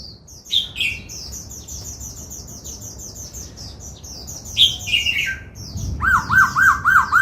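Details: Laughingthrush under training in the 'bắt cô trói cột' song style, singing and dancing: a few loud slurred whistles, then a quick series of five arched notes at the end, over a steady background of thin high chirping from other birds.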